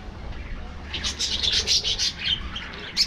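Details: Budgerigars in an aviary feeding in the afternoon; after a quiet first second, dense high chirps and warbling chatter from the flock build up and run on, with a sharp squeak near the end.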